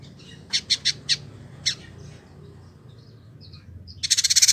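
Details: Caged Village indigobird kept for a year in Bandung, West Java, Indonesia, singing actively as a master recording for training: a few sharp high chips in a quick cluster, then a pause and a loud rapid metallic chatter.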